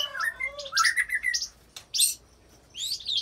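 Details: Shama singing its mimicked repertoire of cililin and canary-like rolls, meant to stir rival shamas into song; rapid mixed whistles and chattery bursts, a brief pause, then a harsh burst and rising whistles.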